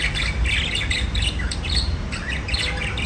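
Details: Chirping budgies give a steady run of raspy, squawky chatter notes, fairly even in pace, against a heavy low hum with occasional thumps.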